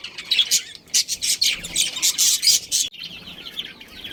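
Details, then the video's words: Budgerigar colony with a breeding pair: quick rasping chirps and high twitters come in a busy run, then a sudden pause, then softer chattering. "Cute Budgies Chirping Sounds"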